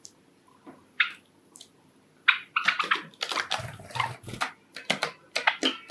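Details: Indoor pet Java sparrow among a group of five, singing a love song to court: sparse sharp clicks, then a fast, busy string of clicking, popping and bell-like notes, with faint rustling between.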